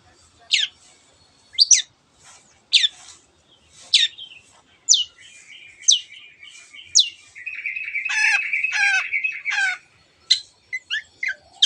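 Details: Long-tailed shrike, singing energetically in 'teot teot' style to stir other birds into song: a series of sharp, high descending notes roughly once a second, then a run of buzzy, nasal, harmonic notes and quick twitters.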